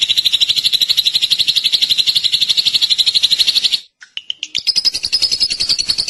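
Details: Drongo song as a long, rapid, buzzing trill of high notes, broken by a short pause with a couple of whistled notes before the fast trill resumes.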